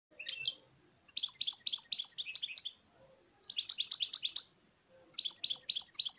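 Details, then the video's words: European goldfinch singing in three bursts of rapid, tinkling twitter, high-pitched notes tumbling over each other for about a second and a half each, separated by short pauses in an otherwise quiet setting. "تغريد الحسون"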